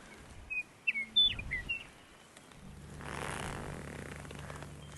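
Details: Likely a meadowlark, heard while agate hunting in South Dakota, sings a quick run of clear, slurred whistles over about a second. A low engine-like rumble and broad noise take over afterward.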